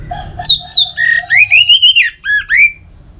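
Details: Orange-headed thrush singing in a recording meant to provoke singing, Singaraja, Bali: a rich run of varied whistles, low drawn notes, sliding rising slurs and short hooked phrases in quick succession.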